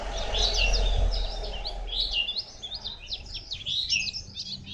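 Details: White-eye from Phù Yên, 02/10/2015, giving a sustained high jumbled warble of quick squeaky notes, with a low rumbling background noise loudest in the first second.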